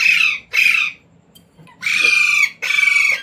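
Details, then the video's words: Pet Indian Ringneck parrot taught to talk, said to say words such as "mummy", "mitthu" and "roti roti"; four loud, harsh squawking bursts, each about half a second long, with a short pause in the middle. "Parrot Talking | मम्मी | मिट्टू | रोटी रोटी | तोते को बोलना सिखाये | Talking Parrot"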